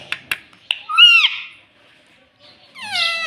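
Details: Rose-ringed parakeet said to talk, saying "mummy papa": three sharp clicks, then a bright arched two-part utterance, a pause, and a final high, slightly falling harmonic phrase.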